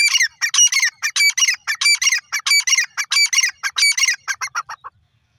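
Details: Grey francolin calling: a rapid, loud sequence of harsh, ringing notes in quick pairs and runs, fading to softer notes before stopping.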